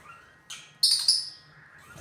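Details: Pet lutino lovebirds uttering a few brief shrill squeaks, one soft note then two louder high chirps in quick succession, over a quiet room.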